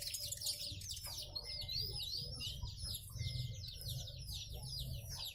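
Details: Caged brown-breasted sunbird, kept in Indonesia as a trendy master songbird, delivering fast high twittering: thin chirps and slurred downward whistles in rapid runs, with a low steady rumble underneath.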